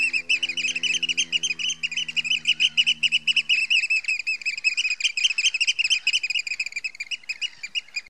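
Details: At Heybridge Basin in Essex, a Eurasian oystercatcher gives a fast, relentless run of sharp piping alarm notes; a low droning hum sounds for the first three seconds, then fades.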